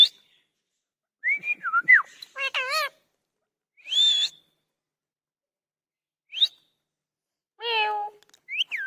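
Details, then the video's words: Talking parrot alternating sliding whistles with short warbling speech-like phrases, brief upward chirps, and a final rising-falling whistle, with pauses between. "Funny Parrots talking"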